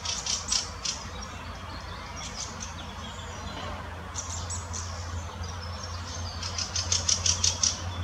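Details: Adult and juvenile Fieldfare in the Munich Botanical Garden: harsh chacking notes open the recording, sparse notes follow, then a quick rattling series closes it, over a constant low hum.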